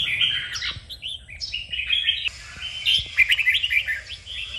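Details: Red-whiskered bulbul in training to sing, stirred into 'kích bổi' excited song: a near-continuous run of quick, chattering whistled notes with slides and trills, broken by brief pauses, over a low hum.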